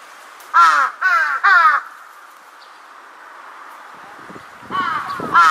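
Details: Large-billed crow, 2 September 2022, calling as if answering distant calls: three loud, harsh caws in quick succession, then after a pause two hoarse caws as it is startled by an unexpected call overhead.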